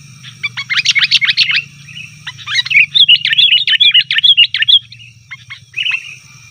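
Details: Sooty-headed bulbul in noisy chattering, meant to draw wild bulbuls and set house birds calling back: a dense run of fast, bubbly notes, then a rapid even series of bright chirps, over a low hum.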